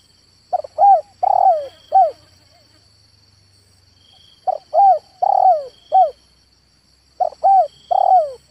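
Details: Cooing of a male spotted dove, three phrases of four mellow arched notes each, a stressed drawn-out third note sliding downward, pauses of about two seconds between phrases; a continuous faint high insect hum throughout.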